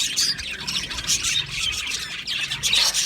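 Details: A colony of Australian budgies in an aviary, with a busy flock chorus of bright, rapid chirps and short squeaky notes that pour out without pause during the mating season.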